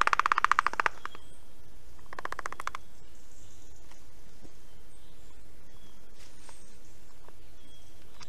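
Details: Black stork nest in Estonia, 19 July 2021 at 9:12 am, an adult delivering fish: a loud burst of fast rasping pulses opens, a second shorter burst follows, then steady outdoor noise with scattered faint bird notes.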